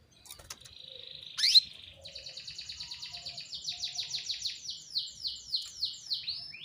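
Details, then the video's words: A female canary calling to get male canaries singing: a short sustained buzzy note and a loud rising squeak, then a long evenly paced series of high descending notes that gradually slows and grows louder. "PANCINGAN KENARI BETINA MEMANGGIL JANTAN"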